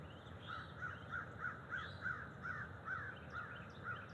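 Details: Bald eagle calling from the nest tree in early October morning, two adults perched overnight: a steady series of about ten bright, slightly squealing whistled notes, roughly two or three per second, over a low constant rumble and faint bird chirps.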